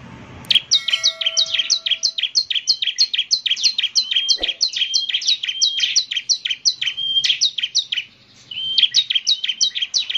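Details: Bar-winged prinia (ciblek semi) singing energetically: a fast, even run of sharp high downslurred chirps, about three per second, keeps going for nearly ten seconds with one short pause near the end.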